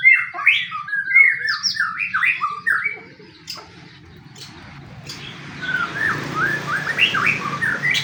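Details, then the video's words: Fighting-style white-rumped shama song used as bait for other shamas: choppy rising and falling whistled notes, a noisy quieter stretch, then more slurred phrases over a hiss of background noise. "pancingan murai pastol tarung murai apapun akan ikut bunyi"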